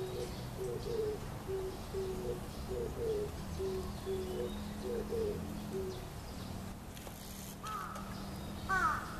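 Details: Oriental turtle dove cooing in a tree at Kyoto Gyoen, Japan, during May 2014: deep, soft hoots in a steady rhythmic run lasting about six seconds over a faint low hum, then stopping as other, higher bird calls sound near the end.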